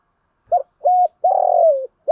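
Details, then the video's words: Decoy spotted dove calling to attract wild doves: a clipped opening note, a smooth level coo, then a long rolled coo that slides down at the end, before the next phrase begins. No other sounds. "chim cu mồi thúc gù bài bản nhất hiện nay, chim cu gáy kích bổi hiệu quả nhất hiện nay"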